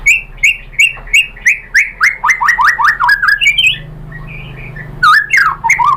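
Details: Shama song played as a lure to provoke other white-rumped shamas: a fast series of repeated whistled notes and rapid downslurred chirps, then a lull and a few loud varied phrases.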